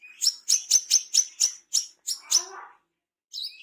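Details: Brown-throated sunbird, a tame wild-caught bird giving its wiceh call: a fast, even run of about nine high, piercing chirps, then a pause and a final softer twitter.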